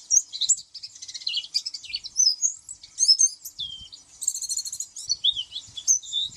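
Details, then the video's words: Oriental white-eye in an energetic, jumbled warble: high chirps, rapid buzzy trills and slurred whistles tumbling together, with faint low knocks in the background. "SUARA kicau pleci"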